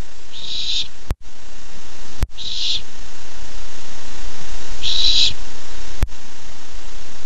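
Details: Barn owl owlet, 13 July 2015, thrilled to get its first treat, giving three short rasping hisses at uneven intervals, broken by sharp clicks and brief dropouts in the sound.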